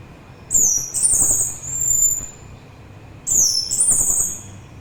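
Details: Orange-headed thrush song used to soothe listeners and lure birds: two similar phrases, each opening with a clear, high, falling whistle and running into a richer, fast, twittering flourish, with a quiet gap between them.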